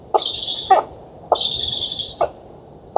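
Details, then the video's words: Black stork nestlings at feeding, oak nest, Poland, August 2017: two long raspy hisses with clicks at either end, followed by the start of a third, in about three seconds. "Bociany czarne z Polski (dąb) 2017 08 11 Karmienie"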